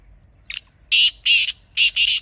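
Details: Black francolin (kala teetar) calling in a natural setting: a short high note, then four loud, harsh, grating notes in two pairs, each about a quarter second, over a quiet background.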